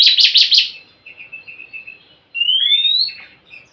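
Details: Oriental magpie-robin song for encouraging a quiet bird: a fast rattle of four harsh notes, a string of soft low chirps, then a bright rising whistle.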